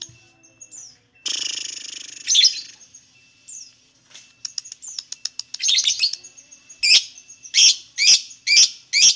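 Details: Lovebird song used to prompt other lovebirds to sing: a harsh rasping burst, a jumble of quick clicks and chirps, then five loud shrill chirps repeated about every half second.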